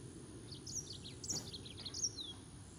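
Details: Green singing finch song: a rapid, scratchy run of high, bright chirped notes ending in a thin down-slurred whistle, over a steady low background hiss.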